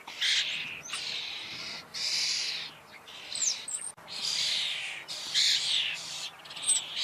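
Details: Common starling (Sturnus vulgaris) song of long rasping, hissy phrases broken by short upslurred whistles, delivered in loud sustained bursts with short pauses.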